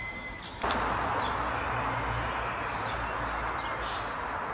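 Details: Young Long-eared Owls whistling from trees in the town of Martin at dusk; three short high whistled calls spaced about a second and a half apart over steady broadband background noise.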